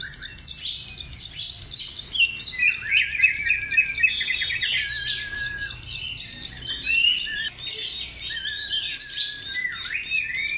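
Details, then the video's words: Oriental magpie-robin lure song of rapid, varied phrasing: crowded high chirps, short whistles and occasional deep downward swoops, repeated in quick bursts throughout. "pancingan Kacer mewah"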